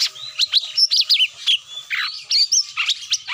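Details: Rapid chattering cucak mini lure call to pull birds down, dense sweeping chirps and downslurred whistles packed several per second, with a faint continuous hum beneath.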